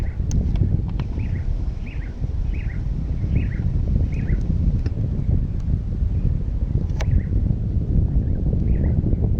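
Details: Chilean swallow at Laguna María la Gorda nature reserve, Río Gallegos, Santa Cruz, Patagonia, Argentina: a run of short, slurred twittering chirps, about ten in five seconds, then a few more, half buried under heavy wind rumble.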